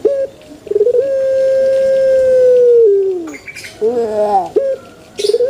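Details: Male spotted dove in its natural voice, played to prompt other doves to call along; a drawn-out, level coo held about two seconds and dropping at the end, framed by short clipped coo notes, with brief clicks and knocks between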